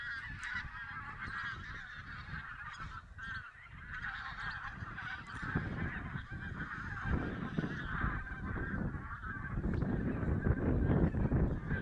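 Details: Flock of wild geese, possibly mixed Barnacle, White-fronted, Greylag and Bean Geese, during a November 2016 goose count in Silesia; dense overlapping nasal honks layered in a steady chorus, with low rumbling wind or handling noise beneath.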